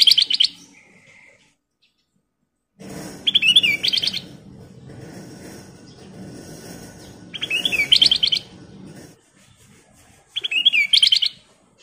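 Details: Kutilang emas bulbul singing vigorously: short bright whistled phrases with quick warbling notes, given in bursts about every four seconds over a steady low rumbling background.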